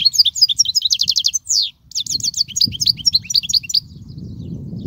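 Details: European goldfinch song, a recording offered for teaching young goldfinches: fast liquid twittering of high chirps and short rapid trills, run together almost without pause, a brief gap near the middle, with faint low background rumble.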